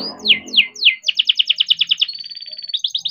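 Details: Captive-bred young canary singing energetically as a lure to get other canaries singing: three loud swooping notes, then a fast run of repeated down-slurred chirps, a level trill and rising notes, after a brief low rumble at the start.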